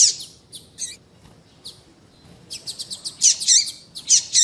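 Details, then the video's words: Female yellow-bellied seedeater calling to stimulate males to sing: brief high, thin chirps, sparse at first, then a quicker run of sharp tweets clustered near the end, with a quiet background. "Piado de fêmea de papa capim tui tui para Esquentar papacapim"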